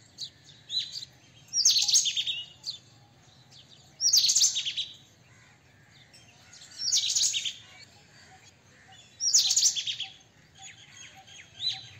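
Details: Strident rattling chatter of a white-throated kingfisher repeated four times, roughly every two and a half to three seconds, each burst harsh and high-pitched, with quiet pauses and a low hum between.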